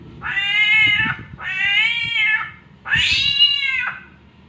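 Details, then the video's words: Three drawn-out, harmonic meowing cries, each about a second long, as an Oriental magpie-robin copies the sound of mating cats. "SAMYONG MENIRUKAN SUARA KUCING KAWIN"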